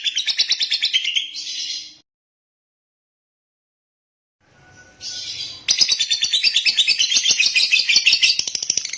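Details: Lovebird chattering in rapid, buzzy bursts, falling silent for about three seconds, then resuming with a louder, dense stream of high, scratchy notes.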